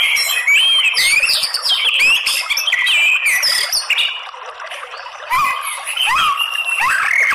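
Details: Shama song used as a lure to bring out fighting song: busy, jumbled whistles, chirps and upward slurs pouring out nearly four per second, dipping briefly before loud notes resume.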